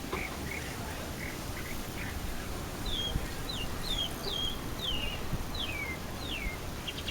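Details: Throat song of a chalk-browed mockingbird in Florianópolis, Brazil: a few soft notes, then a run of about seven clear, descending whistled slurs spaced under a second apart, over low background rumble.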